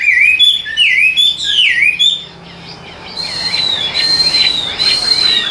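Hwamei singing loud, rich whistled phrases with looping, sliding notes, then a run of fast repeated slurred whistles high in pitch.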